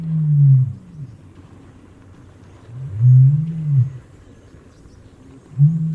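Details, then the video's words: Common ostrich: deep resonant booming calls repeated about every two and a half seconds, each a low hollow rumble swelling and fading, over a quiet outdoor background. "Страус. Голоса птиц"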